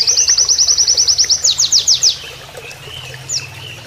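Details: Oriental white-eye in canary-like master song: a rapid string of high, regularly spaced chirps for two seconds, then louder downward-sweeping notes, then quiet with one late chirp over soft flowing water.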